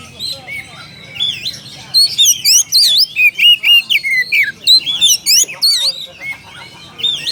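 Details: Oriental magpie-robin calling its rival: a long, fast run of loud whistled chirps and looping high notes, about four per second, with quieter phrases at start and end.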